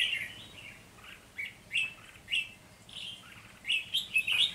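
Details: Decoy red-whiskered bulbul singing during early-season trapping of wild birds on 3 November 2020: a string of bright, bubbly warbled phrases, separated by brief pauses and ending in a quicker run of notes.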